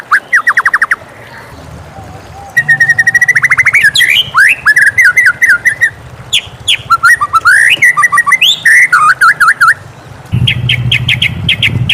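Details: White-rumped shama singing in the morning: loud, varied whistled phrases around mid pitch, quick rising and falling slurs and rapid trills, with a low steady rushing hum beneath at the start and the end.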